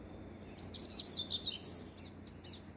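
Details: Double-collared seedeater singing a brisk, high-pitched phrase of sharp chips and buzzy notes, followed by softer scattered twitters.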